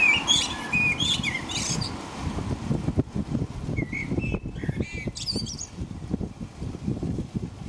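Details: Night-time blackbird song in rain in England near 5 a.m.: a burst of whistled notes and high squeaks, a pause, then more mellow phrases ending in scratchy twitters, under heavy pattering rain and low background rumble.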